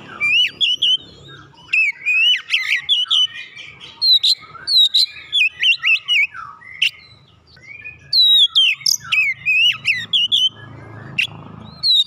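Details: Oriental magpie-robin (kacer) song used to stimulate a reluctant bird to sing: loud, varied whistled phrases with sharp rising and falling notes, rapid chirps and trills in bursts with short pauses, faint low background rumble.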